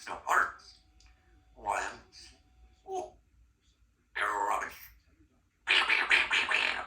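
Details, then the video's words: A talkative 3-year-old female Congo African grey parrot chatters in bursts of mimicked speech, each phrase about a second long, ending in a harsher, louder run of syllables. "Symon has a case of the YAPS today"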